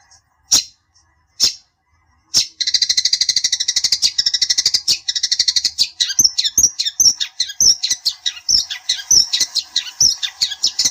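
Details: Long-tailed shrike (cendet) singing to provoke a rival: a few isolated sharp calls, then a long rapid rattling trill of high scratchy notes breaking into varied chattering phrases.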